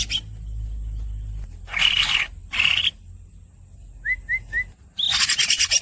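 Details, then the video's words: Greater green leafbird squeaking, with a low hum at the start: two harsh, buzzy bursts, three quick rising whistled notes, then a rapid rolling rattle at the end. "The real green cucak masteran bird squeaks and long rolls"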